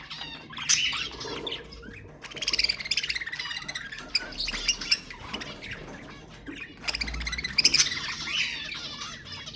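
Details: Budgerigar chatter meant to stimulate other budgies: a continuous, smeared warble of buzzy chirps and squeaks that swells in loud bursts around the middle and again near the end.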